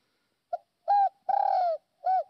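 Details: Spotted dove decoy bird from Northwest Vietnam, chosen for its good true-toned voice, calling once: a quick soft note, a steady hollow coo, a long coo falling in pitch, then a short arched coo.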